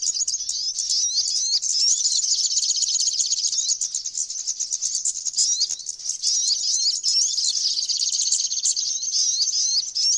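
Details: High, thin chattering of a flowerpecker, a ceaseless jumble of fast squeaky notes and short whistled slurs running for about ten seconds, with faint ticking beneath.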